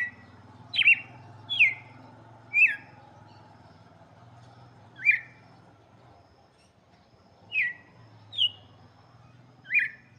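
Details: Cardinal song for young birds, red-cowled species: eight short, bright, descending whistles in loose clusters with gaps of up to two seconds, over a faint low hum.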